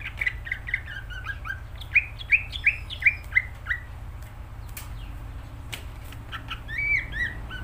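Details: Greater green leafbird singing vigorously (gacor), a recording meant for tutoring pet birds: a run of short, loud, upward-flicking whistled notes about three per second, then a brief high trill, over a steady low hum.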